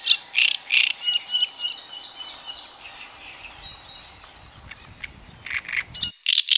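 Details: Great crested grebe with chicks, Tovačov fishponds, Czech Republic, 2013–2014; loud bursts of shrill high notes at the start, a quieter stretch with faint thin whistles, then the piping resumes.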